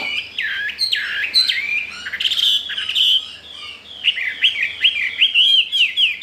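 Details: Caged Chinese hwamei, newly arrived four days ago and keen to breed, singing loudly and fearlessly: rich varied whistled phrases, looping up-and-down slurs, then rapid repeated rising notes, with a faint low hum beneath.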